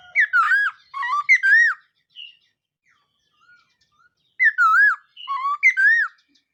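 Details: Laughingthrush singing rapid, tumbling strings of bright whistles that wobble up and down, in two lively bursts during morning voice training.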